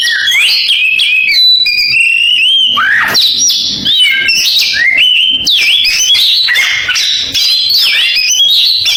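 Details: Oriental magpie-robin singing canary-style mimicry: a dense, nonstop stream of bright whistled phrases, quick rising and falling slurs and high trills, with hardly a pause over nine seconds.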